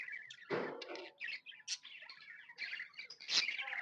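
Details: Contented budgies chattering more softly, thin whistled chirps and scratchy warbling, broken by two louder, fuller rasping bursts near the start and the end.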